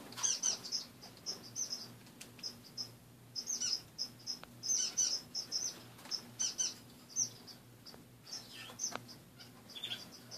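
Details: A long stretch of morning calling from caged pet finches: many high, short chirps in quick clusters, several birds overlapping, with occasional clicks and wing rustles.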